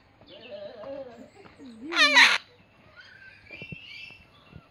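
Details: Captive Goffin's cockatoo talking at Birdworld in Farnham: soft wavering voice-like sounds, then a sudden loud harsh screech, followed by quieter thin whistled notes and faint clicks.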